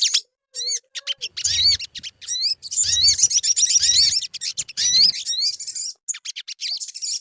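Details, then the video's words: Crimson sunbird song played as a lure to bring birds into song: fast, high, hooked whistled notes in dense chattering runs with brief pauses, plus intermittent low thuds. "Suara pancingan burung sogon_pasti cepat gacor"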